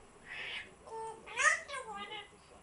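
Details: African grey parrot, indoors, giving a few whistled and nasal calls: a hoarse burst, then rising and falling tonal whistles with harmonics, spread over under three seconds.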